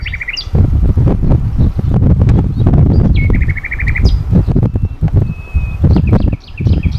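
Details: Common nightingale singing in a forest in Sithonia, Greece, on 22 April 2018 in spring: rapid repeated notes, sharp rising whistles and a long flat whistle, over strong low rumbling wind or handling noise.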